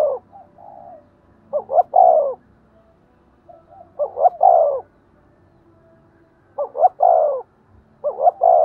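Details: Spotted dove in the 'thúc gù' urging coo style, played to rouse decoy doves to answer. Four soft, hollow phrases, each of quick doubled notes then a drawn-out descending coo, spaced roughly two and a half seconds apart over a quiet background.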